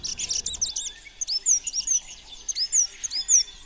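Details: Chestnut-vented conebill song: a rapid run of very high, thin, hooked and downslurred notes following a brief jumble of twittering, with notes tumbling several per second.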